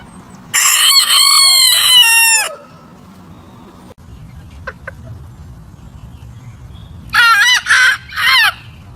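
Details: Rooster crowing, a loud harmonic crow of about two seconds that falls away at the end, then quiet with a few faint clicks and low background rumble, and another crow broken into three short bursts near the end.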